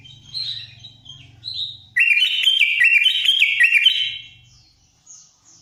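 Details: Sooty-headed bulbul in full fill-in singing, soft twittering notes leading into a loud, rich phrase of warbled whistles stepping up and down for about two seconds.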